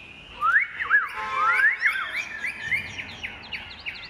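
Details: A large, white-winged Chinese hwamei kept as a cage bird sings clear, fluty whistles. Rising slurs and looping phrases repeat rapidly before dropping to quieter, shorter notes near the end. The background is otherwise quiet.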